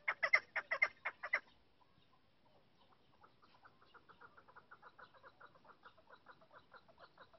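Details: Female chukar partridge calling: a loud burst of about seven harsh, clucking notes in the first second and a half, then a brief pause and a softer, rapid run of repeated chuck notes continuing to the end.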